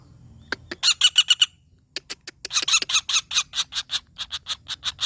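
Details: Common flameback (pelatuk bawang) calling in harsh, squawky notes: a quick run of five or six, a pause, then a longer uneven series of rough, grating calls.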